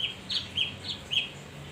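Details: Male leafbird lure song: five short, bright, slightly downslurred chirps spaced evenly, clear above a faint low hum.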